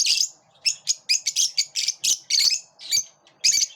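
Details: Squabbling lovebirds kept together in a group produce loud, harsh, high chirps in a steady rapid series, roughly three or four per second, with brief gaps between bursts.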